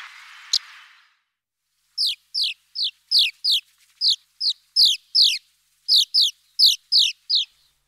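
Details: A brief noisy rustle opens, then Eurasian crag martin calls: a steady series of about fourteen short, high, downward-slurred chirps, spaced roughly every third to half second.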